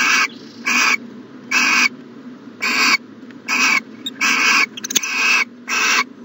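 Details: Morning owl calls from a nest box in January 2020: rasping, noisy hisses repeated about once a second, with a few faint scratchy sounds mixed in near the end.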